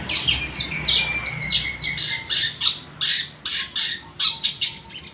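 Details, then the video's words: Long-tailed shrike, locally cendet, song used as a lure to get males singing; harsh scratchy squawks and rasping bursts mixed with a few whistled slurs, uneven pacing, loud and close. "suara original burung cendet cocok buat mancing cendet males bunyi"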